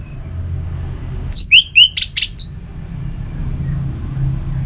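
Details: Orange-headed thrush song used to stimulate kept birds into singing: a quick burst of about seven clear, high whistled notes, some sliding up, others sharp and buzzy, over a low background rumble.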